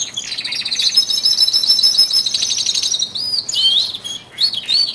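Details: Male canaries, twelve of them, intensifying their song in early February before springtime: a long rapid high trill for three seconds, followed by looping whistled up-and-down notes and short chirps.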